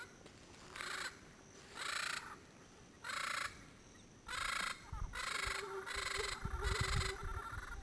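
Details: A pair of wild yellow-headed amazons calling noisily from Caribbean pines at sunset, Payne's Creek National Park, Belize, late January, about 100 yards away, giving harsh, raspy squawks in bursts roughly every second, with mosquitoes audible.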